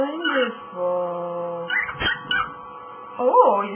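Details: Pet cockatiel talking, uttering a greeting in a harsh, voice-like tone with stacked harmonic bands, several short phrases broken by brief pauses and a clicky burst near the middle.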